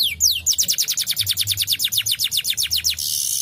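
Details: Canary song intended to stimulate lazy canaries, a fast rhythmic trill of short downward notes repeated steadily, ending in a brief harsh hissing burst.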